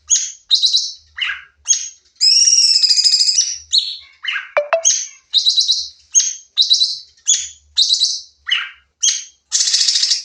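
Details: Sooty-headed bulbul training recording of lively shooting song: rapid string of short bright chirps and whistles, repeated about twice a second, with a long buzzy trill and one sharp sweeping note in the middle.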